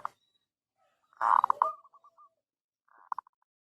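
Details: Local zebra dove cooing, used as a lure to draw a reply: a loud rolling coo then a run of short spaced notes fading out, and a softer coo phrase near the end.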